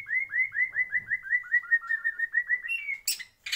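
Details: White-rumped shama singing in a breeding aviary: a fast run of about seventeen clear, down-slurred whistled notes at an even pace, ending with a few higher notes and a short harsh burst.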